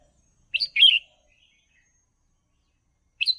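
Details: Red-whiskered bulbul song played for training young birds: a short, bright, warbled phrase of two quick rising-falling notes, then the opening note of the next phrase near the end, over a silent background.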